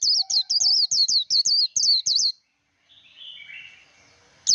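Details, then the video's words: Rapid líu đấu twittering of a Japanese white-eye, a training song for wild-caught birds: high, sharp, repeated slurred chirps for just over two seconds, then a pause with soft hissy background and one last chirp. "Vành khuyên líu đấu. kích lửa vành khuyên líu đấu"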